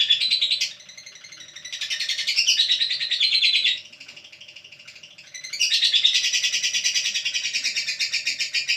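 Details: Bursts of fast, buzzy high-pitched chattering from a lovebird, separated by two quieter stretches of soft twittering, with loud rapid chirping returning at the end.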